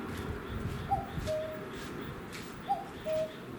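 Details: Common cuckoo calling from a utility pole near a garden in late May, evening; two clear two-note cuck-oo calls, the first note higher and short, the second lower and longer, over a faint low background hum.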